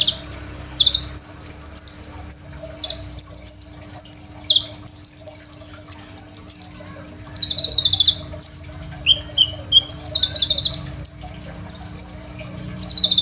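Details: Crimson sunbird, a master song for training other songbirds, recorded on a phone: loud, rapid high-pitched song of sharp chirps and trills in quick bursts, repeated phrases with brief pauses, a faint steady hum beneath.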